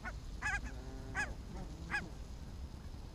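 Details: Barnacle geese on an evening walk in Arabia on 1 October 2014: three short, sharp yelping honks, each with a bright harmonic edge, about 0.7 seconds apart, over steady low rumbling background noise.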